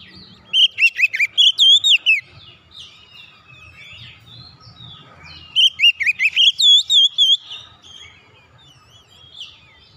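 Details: Oriental magpie-robin song used to revive silent kept birds: two long whistled phrases of about eight to ten sweet, slurred notes, each followed by softer chattering and a faint low rumble.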